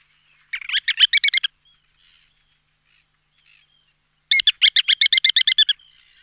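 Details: Ruddy turnstone giving two fast rattling bursts of about ten clipped, high notes each, separated by a pause of nearly three seconds, with faint soft notes between.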